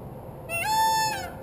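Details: Peacock on a rooftop giving a single loud, rich, nasal wail, rising briefly then held steady for under a second before fading, with a quiet background.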